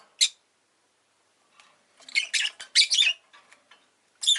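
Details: Rosy-faced lovebird kept as a pet, giving one sharp chirp, then a dense run of rasping, scratchy chirps after a pause, and another harsh note at the end.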